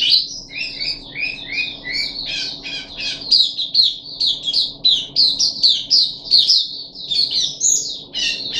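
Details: Captive puff-backed bulbul on its third day of deworming, 14 July 2021, gives a long run of chirpy, whistled notes. Lower slurred notes are woven in early on, then a steady chatter of sharp, bright notes continues over a faint hum.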